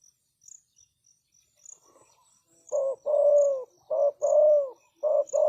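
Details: After a quiet start, a decoy spotted dove luring wild doves breaks into rapid coos: short notes alternating with longer, gently falling ones, in quick succession. A rhythmic insect chirp continues in the background.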